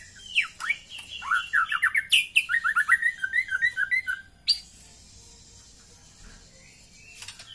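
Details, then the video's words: Female white-rumped shama teasing call that excites males: a fast string of short downslurred chirps and twittering notes for about four seconds, a sharp snap, then near quiet with a faint whistle. "SUARA PANCINGAN MURAI BATU BETINA UNTUK MENAIKAN BIRAHI JANTAN"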